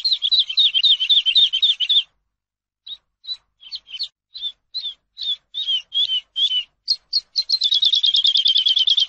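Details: Eurasian skylark song for teaching: a dense two-second trill, a pause, then varied separate chirps that speed up into a long, rapid, buzzy trill. The recording is otherwise quiet.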